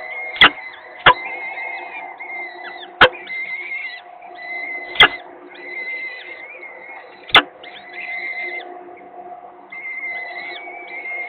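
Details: Peregrine falcon chicks in Gdynia being fed on 19 April 2021, near the end of their head-bobbing stage. Drawn-out, harmonic wailing cries repeat almost continuously, broken by several sharp, loud clicks.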